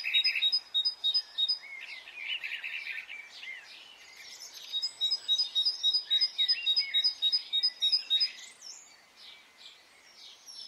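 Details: Spring morning birdsong in Brittany, where rapid high double notes, roughly three per second, come in two long bursts, separated by a jumble of chirps and short warbled phrases from other singers.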